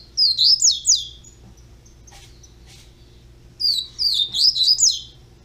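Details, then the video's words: Young double-collared seedeater, a captive-bred chick, singing two short phrases of high slurred whistles, each of three to five looping notes, with a soft scratchy sound between them and a low steady hum underneath. "FILHOTE DE COLEIRO BISNETO FANTOCHE"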